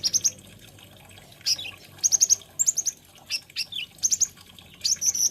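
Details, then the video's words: Kolibri ninja or konin, the olive-backed sunbird, sings short clusters of two to four piercing high notes separated by brief gaps, with quick twittering flourishes. "BIKIN GEMES SUARANYA BURUNG KOLIBRI NINJA / KONIN INI"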